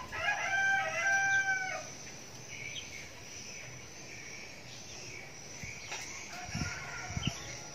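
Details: Young red junglefowl decoy cock crows once at the start, a brief rasping phrase of about one and a half seconds, followed by insect hum and faint knocks.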